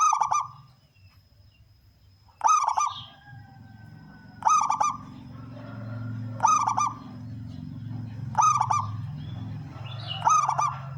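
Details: Actively singing male zebra dove, local type prized for its big 'kung' voice, used as a lure for wild birds: six phrases of rapid staccato coos, evenly spaced about two seconds apart, with low background drone.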